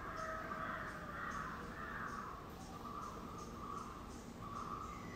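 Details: Yellow-browed bulbul recorded in Idukki, Kerala, calling: a run of harsh, rasping, slightly buzzy notes repeated at about one per second, uneven in spacing, over a steady background hum.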